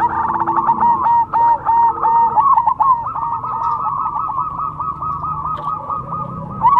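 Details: Zebra dove of the cemani type, a kept contest bird in Indonesia, singing long strings of quick bubbling coo notes at a level pitch, rhythmic and nearly continuous, several notes per second.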